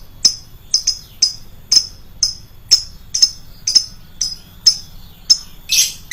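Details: Lovebird used as a lure, described as loud-voiced: a run of bright, high chirps about every half second, some doubled, ending with a harsher burst.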